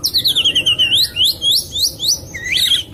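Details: White-rumped shama song meant to trigger a silent caged bird after moulting: rapid high twittering whistles in quick slurred runs, varied and continuous.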